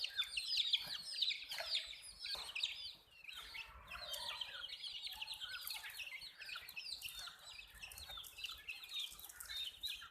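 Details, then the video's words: A flock of colored hen chicks chirps nonstop, sharp falling peeps crowded together about twice a second per caller, forming a busy shrill chorus with faint background rustle. "Witty MURGI Hen Baby "CHICKS CHIRPING" Sound"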